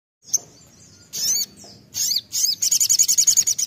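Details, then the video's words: Sunbird in the sharp 'nembak' singing style, used as a lure to provoke other birds to sing: thin, very high chirps and squeaky rising notes, ending in a rapid run of about a dozen evenly spaced ticking notes. "sogon nembak pancingan sogon bahan sogon gacor pancing bunyi"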